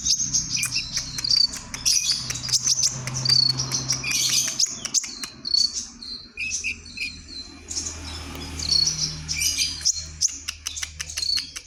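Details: White-rumped shama from Kalimantan singing vigorously: a dense, rapid stream of high, sharp chirps, whistles and trills, with brief pauses around the middle and a steady low hum underneath.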